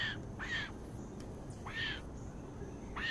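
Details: Male blue-bellied roller feeding his chicks: harsh, rasping, downslurred calls given roughly once a second, each short and croaking, over a quiet low background hum.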